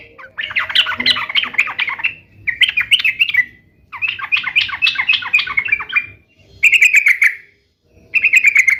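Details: Sooty-headed bulbul singing energetically, meant to make caged bulbuls sing back: several dense chattering phrases of quick slurred notes, separated by short gaps, ending with two clearer, steadier whistled bursts.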